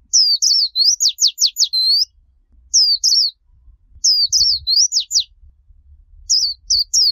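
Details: Japanese white-eye singing líu choè style, a training track for young birds: a high, lively phrase of twittering whistles and rapid sweeping notes, followed by shorter bursts with small gaps.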